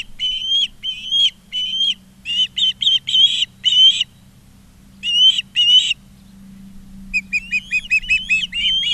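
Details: Osprey calling at a nest in Charlo, Montana, on 20 August 2023, filmed by a live nest camera: series of high, whistled chirps, each slightly rising, in quick bursts with pauses, over a steady low hum.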